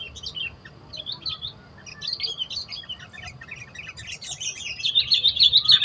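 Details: Sooty-headed bulbul singing in the wild, a fast chattering run of high chirpy notes that grows louder and busier toward the end, with other birds possibly mixed in.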